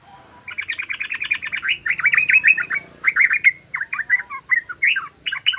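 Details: Rapid-fire 'ropel' singing of a yellow-vented bulbul used for luring: a fast rattling run of short notes opening into looser, liquid, warbling phrases repeated with brief gaps, over a constant thin background whine.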